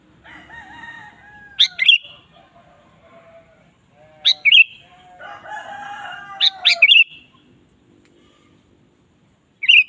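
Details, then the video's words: Lively Sooty-headed bulbul song used to provoke a kept bulbul: short rolling phrases of sharp chirps every two to three seconds, over repeated long crowing in the background. "suara burung kutilang gacor"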